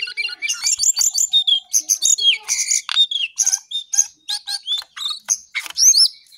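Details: Brown shortwing (jongkangan, cingcoang coklat) in energetic, nonstop song: rapid high whistled notes, sharp chirps and squeaky rising slurs packed closely together, with only brief pauses.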